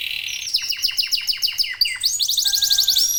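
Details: Singing local canary among several birds: varied phrase opening with a steady high tone, then a series of steep downward-swooping notes, followed by quick rising chips and a thin sustained whistle.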